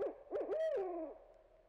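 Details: Barred owl giving three hoots in under two seconds: two short arched notes, then a longer, louder hoot that slides downward and fades.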